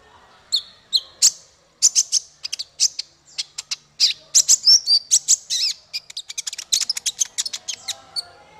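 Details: Male kolibri ninja sunbird, recorded as training song for songbirds, delivering a long, busy stream of high, sharp chirps and short twittered trills with hardly a pause.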